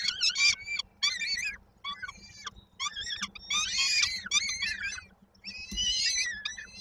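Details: Hungry peregrine falcon nestlings in Koszalin, Poland, 19 May 2022, begging while they wait for the mother's evening food delivery. Rasping, arched squeals come in uneven clusters, some drawn out and others clipped, with several chicks calling over each other.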